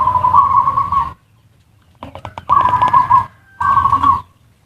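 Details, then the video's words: Zebra dove lure sound in ngerot and kuwor styles for stimulating mating urge and lazy singers: a buzzy, vibrating coo, a pause, clicks, then two more rough cooing phrases. "Suara pancingan perkutut ngerot dan kuwor cocok untuk perangsang birahi dan burung malas bunyi"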